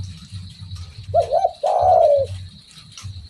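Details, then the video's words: One spotted dove phrase: a quick, wavering double coo, then a long, smooth coo that slides downward, against a low, pulsing background rumble. "BURUNG DERKUKU MANAPUN PASTI IKUT BUNYI DENGER SUARA INI || SUARA FULL GACOR"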